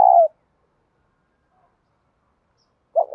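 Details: Captive spotted dove cooing in the 'bài bản bổi' style, used to prompt other caged doves to coo: one short, loud, low hooting note, a near-silent pause, then another coo starting at the end.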